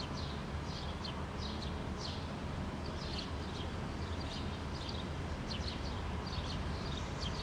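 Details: House sparrow parent with two fledglings foraging together on rocks in Helsinki, Finland, June 2013: short, bright chirps repeated in loose bursts, half-buried under a steady low rumble of background noise.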